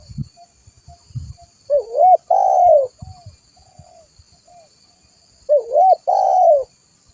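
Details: Spotted dove giving an active cooing call used as a lure: two phrases of a wavering low coo followed by a longer falling one, with a steady high insect-like drone and scattered low tapping noises.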